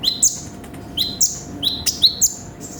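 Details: Brown-throated sunbird (konin) in a full 'gacor full isian' song recording: thin, very high chirps, each a sharp note dropping into a short slurred whistle, in four quick bursts about half a second apart, with a faint steady hum underneath.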